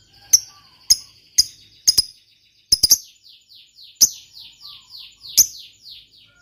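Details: Lovebird fighter noted for long ngekek chattering, played to coax quiet birds into sound: sharp, clipped chirps at irregular intervals, followed by a run of thin, falling, slurred notes.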